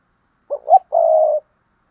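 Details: Spotted dove giving paired cooing, known locally as cu gáy đôi: two short low hooting notes, the second slightly rising, then a longer steady, slightly wavering coo, all mellow and low-pitched, against a silent background.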